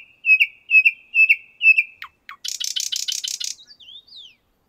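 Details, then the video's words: Common nightingale in a Moscow park, the 50th Anniversary of October park, with four loud rich notes evenly spaced, two low dipping notes, then a rapid dry buzzing trill and a short descending whistle. "Пение соловья"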